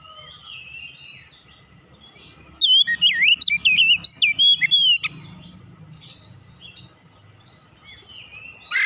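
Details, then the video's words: Oriental magpie-robin song from a recording used to restart a kacer that has gone quiet: after soft, distant chirping, a bright two-second flurry of twisting, whistled notes, then fainter warbles fading out amid low background noise. "kicauan ampuh mempercepat pemulihan Kacer macet bunyi langsung gacor"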